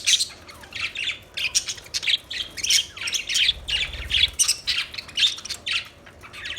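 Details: Budgerigars chirping steadily, a lively stream of harsh squawks and warbled chirps repeated several times a second, with a faint low rumble partway through.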